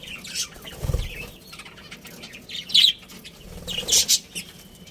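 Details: A breeding pair of budgerigars with intermittent high, scratchy chirps in short clusters, plus a brief low thump near the first second.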